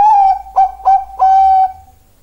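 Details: Zebra dove of the Bangkok type, giving a loud even cooing song: a level opening note, two short clipped notes, then a long sustained coo, all at one steady pitch.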